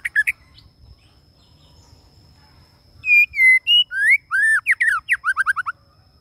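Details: A male white-rumped shama lure bird gives a few sharp notes, falls quiet for about three seconds, then sings long clear whistled notes followed by a quickening series of short rising and falling phrases.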